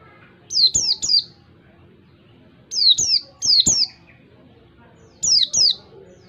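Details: Oriental white-eye giving a clear ngalas (wild-style) song, used as a tutor for caged white-eyes learning to sing. High, thin whistled notes that slide downward come in quick bursts of two or three, with pauses between bursts.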